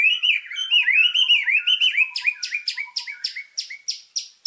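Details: White-rumped shama, a lively singer used as master song for training birds, full of fill-in phrases: loud rising and falling slurred whistles, then a fast series of sharp, high chattering notes repeated several times a second.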